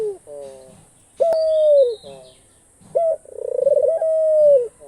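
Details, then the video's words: Captive Australian dove giving soft buzzy notes, then a clear level coo falling at its end, a sharp click, and a second pulsing, long drawn coo. "ঘুঘু পাখির ডাক। অস্ট্রেলিয়ান ঘুঘু পাখির ডাক।The call of the dove.Australian dove bird call."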